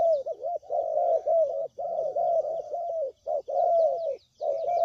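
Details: Spotted dove cooing, played as a lure sound for trapping: low, rounded coos run together in long wavering phrases with short gaps, with faint high chirps and a thin whistle in the background.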